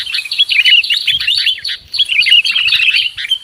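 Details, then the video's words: Sooty-headed bulbul lure call for trapping birds: dense, overlapping chirpy chatter of quick bubbly notes, sustained almost without pause, with a brief lull near the middle. "Suara PIKAT Burung KUTILANG"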